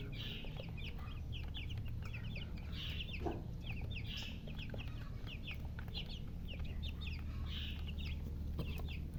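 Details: A group of thirsty young chicks calling for drinking water: dense runs of shrill, falling peeps from many chicks at once, sustained throughout, with a low continuous hum underneath.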